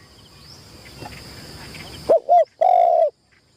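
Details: Spotted dove used as a trapping decoy in Thailand, during its first tent-trap training. Steady rushing noise comes first, then silence, then a single coo phrase: two short notes and one drawn-out low note.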